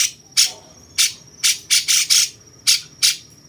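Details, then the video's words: Cucak cungkok bulbul with a jenggot-like style, recorded as master material for training champion songbirds; loud, harsh buzzy bursts repeated irregularly, some in quick pairs and triples, over a faint steady high whine. "cungkok rasa jenggot"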